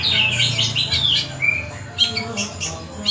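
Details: Long-tailed shrike in song, known locally as cendet and billed as a bird of a thousand voices; a busy, varied run of chattering and whistled notes, with a clear sliding whistle midway and quick harsh bursts, over low background hum.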